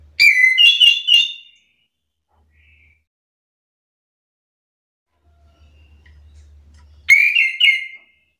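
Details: Orange-headed thrush singing back at another bird's song while agitated: a quick burst of loud, rich whistled notes that rise and fall and are strung closely together. After a long pause a second short whistled burst follows. The background is otherwise quiet.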